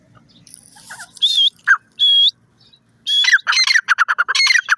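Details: Grey francolin: a few drawn-out, sharp whistled notes, then a loud run of rapid, harsh, ringing phrases in a quiet setting.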